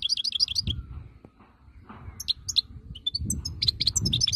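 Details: Song of a wild-type European goldfinch. High tinkling twitters open the passage, a quieter gap follows, then scattered sharp chirps and short trills. A low rumbling noise runs underneath.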